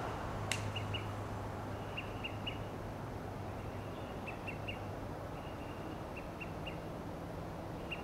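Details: Olive-sided flycatchers calling to each other from Monterey Pines in Del Monte Forest, California: faint, sharp pips in clusters of two or three, repeated every second or so, with a low steady hum and one sharp click early on.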